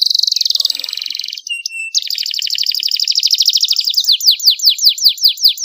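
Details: Clear-voiced canary master song: a quick buzzy trill, a short low rattle and pause, a long rapid rolling trill that gradually spreads out, ending in slow, loud, descending whistled notes repeated rhythmically.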